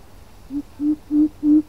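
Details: Coucal call used as a lure: a series of four low, hollow hoots at a steady pitch, each growing louder than the last, evenly spaced about three tenths of a second apart.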